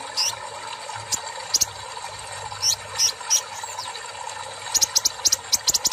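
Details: Kolibri ninja in full voice after being given water therapy: scattered high thin chips and brief sizzling strokes, ending in a quick run of sharp ticks, with a constant low machine hum behind.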